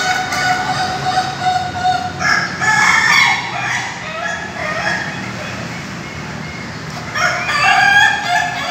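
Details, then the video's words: Caged Ayam Ketawa roosters of Indonesia at a joint training event in Bogor: a long, steady crow, then stuttering laughing bursts, a lull, and a fresh rush of rapid crowing syllables. "latber ayam ketawa"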